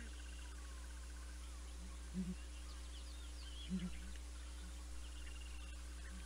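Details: Southern ground hornbill pair recorded by a live camera at Naledi Cat-EYE on 19 December 2021, low muffled booms in double-note groups roughly one and a half seconds apart, over soft high birdsong and constant electrical hum.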